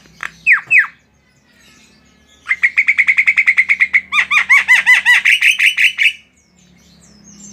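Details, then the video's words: Tame Javan myna delivering two downward slurred whistles, then a long rapid trill of clicking notes that shifts into loud, rhythmic chirped phrases repeated several times a second. "SUARA BURUNG JALAK KEBO GACOR"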